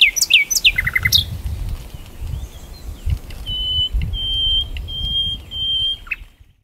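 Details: Nightingale song on a riverbank, opening with rapid descending whistled notes and a short buzzy trill, then a series of long, steady pure whistles repeated about every second over a constant low rumble.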